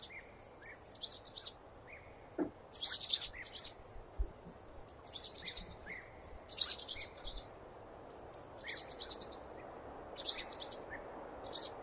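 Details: Swallow twittering in regular phrases of two to four bright high chirps, spaced about a second apart, with quieter lower slurred notes and a couple of faint low knocks.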